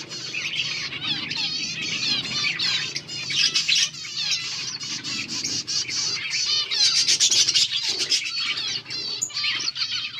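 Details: Several finches eating green food, recorded August 17, 2024; dense overlapping high chirps and twittering trills with wavy warbled notes, continuous throughout, some wing flutter.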